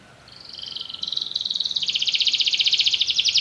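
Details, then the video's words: Soft start building into a loud, rapid, high-pitched pulsed trill from a canary, the rolling notes growing stronger and steadier throughout. "Canary bird | o canário canta muito bem"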